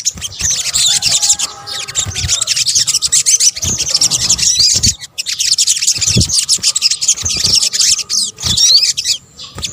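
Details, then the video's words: Sunbird lure sound, sogok ontong combination from Indonesia: nearly nonstop high-pitched scratchy twittering in two long bursts, with faint low tones and a few knocks underneath. "PANCINGAN SOGON BUNYI AMPUH | kombinasi suara sogok ontong"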